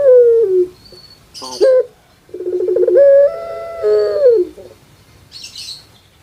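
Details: Puter pelung dove kept on Java, Indonesia, calling in a way likened to a crying baby: the tail of a falling coo, a short abrupt note, then a burr swelling into a long coo that drops away at the end.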